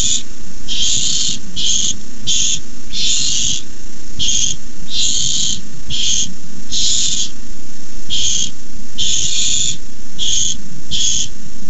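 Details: Barn owl chicks at a nest, begging as a rat is brought in as a food delivery: harsh hissing screeches, broad and noisy, in rapid uneven bursts of about a second, with low background hum throughout.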